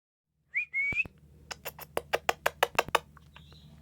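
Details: A cockatiel, singing and talking, gives a bright rising whistle, then a quick run of sharp, evenly spaced chirps.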